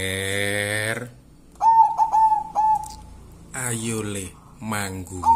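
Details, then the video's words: Local wild zebra dove cooing: a run of clear, stuttering coos on one steady pitch, each trailing into a longer drawn-out note. A human voice with strong harmonics is heard before and after. "suara perkutut"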